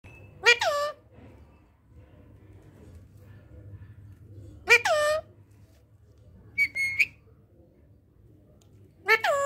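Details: Talking Indian parrot, known for mimicking sounds: four separate loud harmonic calls, each a sharp downward-sliding squawk or whistle, spaced a few seconds apart over a low steady indoor hum.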